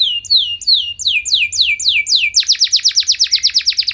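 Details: Canary with showy, extended song that prompts other canaries to reply: sliding whistled notes descending in pitch, then a rapid series of sharp, loud chips repeated several times per second.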